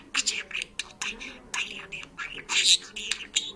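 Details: Georgian talking and singing parrot babbling a fast string of speech-like syllables, ending in a louder squawky burst.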